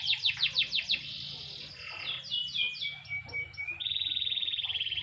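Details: Caged canary sunbathing in light sun, singing bright high notes: a quick run of repeated downward-sweeping chirps, then a varied warble, ending in a fast, even, buzzy trill.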